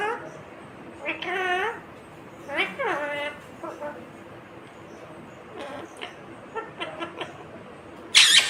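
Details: Indian ringneck parakeet, a green parrot, talking: a few drawn-out, sweeping word-like calls followed by softer short syllables, ending in a sharp click.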